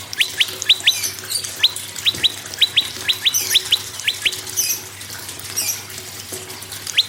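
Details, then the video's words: Prinia singing to prompt other birds, a dense run of high falling double chirps that thins out later, accompanied by hissy bursts of higher sound and a steady low hum. "PRENJAK LUMUT GACOR PRENJAK KEPALA MERAH GACOR TERAPI PANCINGAN SEMUA BURUNG MACET AGAR BUNYI GACOR"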